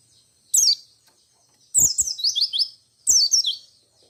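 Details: Piercing white-eye song used to goad other white-eyes into answering. A lone sharp descending note, then a longer tumbling chain of slurred high whistles, then a shorter phrase, with silent gaps between.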